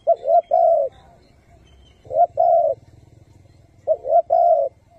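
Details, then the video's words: Spotted dove used as a decoy to lure wild doves into traps, giving its cooing in the hậu, thúc and gù styles: three low phrases, each a short note followed by a longer hollow coo, roughly every two seconds. "Chim cu gáy 3 HẬU - THÚC - GÙ siêu SÁT BỔI dùng bẫy cu gáy"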